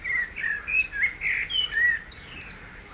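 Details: Common blackbird singing on 15 June 2020 by reeds where frogs croak: a mellow, fluty warble of five quick low whistled notes in two seconds, trailing into softer twittering, over faint background noise.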